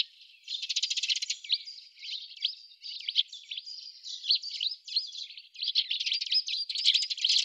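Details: Eurasian tree sparrows gathered at an artificial treecreeper nest box in Budapest, Hungary, 28 October 2010, recorded from a window hide; dry rattling notes open, then sharp upslurred chirps follow in quick succession, later mixed with more rattles.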